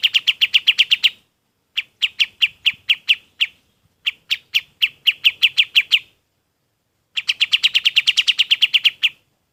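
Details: Golden-bellied gerygone song intended as a master for training other birds, given in four bursts of quick, high, clipped notes repeated at a steady pace and separated by brief silences.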